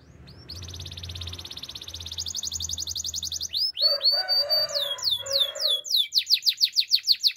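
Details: Belgian canary singing for training purposes. A quiet opening trill builds into a loud, fast rolling tour. Chopped swooping whistles follow, with softer lower warbling notes beneath. Rapid repeated downslurred syllables finish the sequence.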